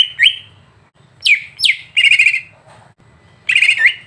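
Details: Greater green leafbird singing on a recording used to provoke a bird: a rising whistle, two sharp falling sweeps, a rattling buzzy trill, then another trill ending in an upslur.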